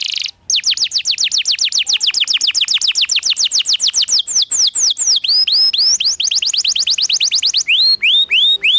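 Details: Fast rolling canary song, in the ngerol style, used as a training master for young canaries: rapid descending whistled sweeps, nearly four per second, shifting into slower, looping upswept notes near the end.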